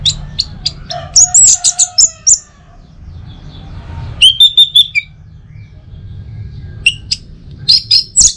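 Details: Orange-headed thrush song from North Bali, Singaraja, used at home in the morning to lure birds into singing: bursts of sharp high chirps and whistled slurs, a fast trill of repeated notes, with a lower harmonic whistle briefly underneath.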